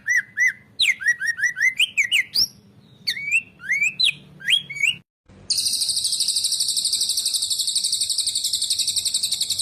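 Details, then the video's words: White-rumped shama song used as master song for training other songbirds, Indonesia: a series of clear whistled notes near the same pitch, repeated in quick groups, then a brief pause and a long, even, high buzzy rattling trill. "masteran murai"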